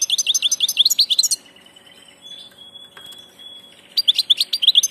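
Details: European goldfinch, 'del paso' (passage) type, singing rapid bubbling twitters, a long pure high whistle in the middle, then renewed quick tinkling notes.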